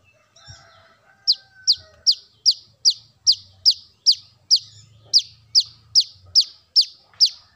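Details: Brown-throated sunbird calls played as a lure for birds: after a quiet start, sharp high descending chip notes repeat steadily about every 0.4 seconds, roughly fifteen in a row, with faint low rumble beneath.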